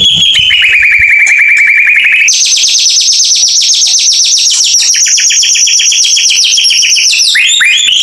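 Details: Clean recording of white-rumped shama lure song for birds that have gone quiet: a long steady whistled trill, then a fast, high, rattling series of repeated notes ending in downslurred whistles.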